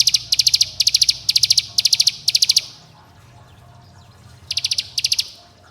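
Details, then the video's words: Bar-winged prinia calling companions and provoking rivals, used as a lure so young birds sing. Five quick bursts of shrill, rattling high notes, a long pause, then two more bursts near the end. "Pancingan Cigun Bren Rapat Agar Ciblek Gunung Muda Bahan Ikut Bunyi Gacor dan Ngebren"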